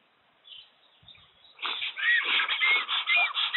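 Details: Black storks fighting over a nest in the Łódź forest district, Poland, on 15 April 2020, a newly arrived female attacking the male until he gives up; after a quiet start, a dense run of harsh, honking, harmonic calls repeats rapidly.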